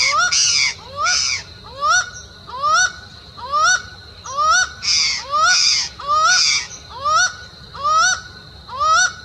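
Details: Laughing falcon calling: a steady series of rising, nasal two-part notes repeated about once per second, with louder harsh bursts mixed in, steady and far-carrying, regarded locally as an ominous omen song.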